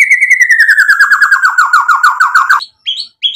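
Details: White-rumped shama singing a mimicry-rich song to provoke a reply: a fast even trill of about fifteen notes slowly falling in pitch, followed by two short high chirps.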